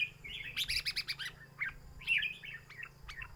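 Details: Caged red-whiskered bulbul in a counted-phrase singing contest: a fast burst of bright chirps, then a few separate clipped whistled notes after a short gap, over a low background hum.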